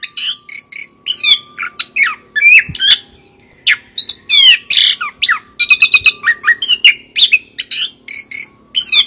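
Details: Chestnut-capped thrush, or anis kembang, in full song with harsh, rattling chirps mixed among high slurred whistles in quick, tightly packed bursts, a soft steady hum in the background.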